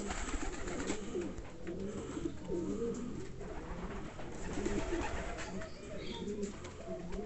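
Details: Loft of Andalusian homing pigeons giving steady low rolling coos from several birds at once, dense and continuous, with light scratching and shuffling noise in the background.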